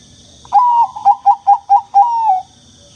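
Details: Bangkok-type zebra dove song used to coax rarely singing doves: a drawn, slightly falling coo, four short clipped coos, then a long sliding coo to finish, with a faint constant high-pitched tone behind.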